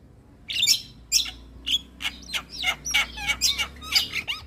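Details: Javan myna phrase from a training recording for other mynas: a string of raspy, squeaky notes with downslurred whistles, delivered at roughly two per second over a soft low hum.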